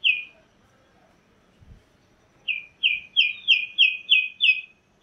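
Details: Chalk-browed mockingbird: after one falling whistle and a pause, seven bright, downslurred notes follow in a fast, evenly spaced series.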